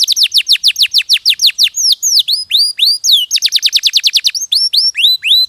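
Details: Canary singing a fast series of high, steeply falling whistled notes, about three per second, then shifting to rising upslurred notes and back to rapid descending sweeps; clean recording with no other sounds.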